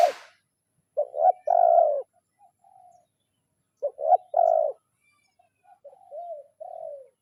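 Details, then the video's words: Spotted dove calling to a rival in the lure style known as kuk 0-1, giving two stuttered cooing phrases that each end in a long mellow coo, followed by softer trailing notes, with silence between. "Suara Tekukur Memanggil Lawan"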